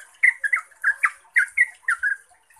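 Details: Yellow-vented bulbul (Pycnonotus goiavier) in ropel song meant to provoke other bulbuls to reply: loud, rich bubbling notes in pairs and triplets, slurred downward, ending in a short silence.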